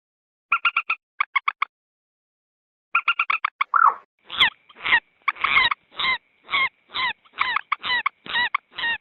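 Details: A common moorhen lure recording, edited for attracting wild moorhens in marshes and rice fields: short bursts of rapid, clipped, nasal notes, then a steady run of loud, sharp, down-slurred calls about twice a second.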